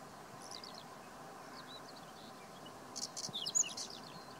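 A male whinchat gives a brief, scratchy burst of high chirps and twittering notes lasting about a second, after a few faint chips, over steady background hiss.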